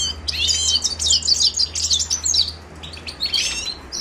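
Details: Song of a Himalayan goldfinch, Carduelis caniceps: a rapid run of high, tinkling twitters and trills, a short gap, then more chirping phrases above a faint constant low hum.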